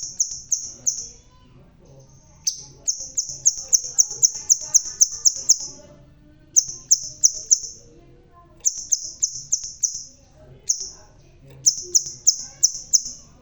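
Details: Crimson sunbird with a red tail, bald yet singing vigorously: long rapid runs of sharp, very high thin notes in bursts of several seconds, separated by brief pauses, over a quiet low hum.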